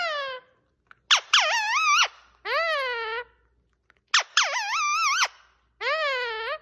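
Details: Pet parrot indoors in a small room, talking: loud, wavering, harmonic vocal phrases about a second long, separated by short silences, with speech-like 'hello' imitations.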